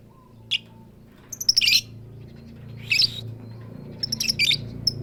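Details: A female lovebird calling to the male gives scattered shrill squawks and thin high ticks over a noticeable low rumbling background.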